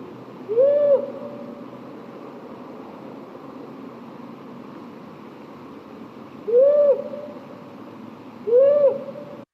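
Powerful Owl giving three deep, rising-then-level hoots spaced a few seconds apart, over a steady low background hum.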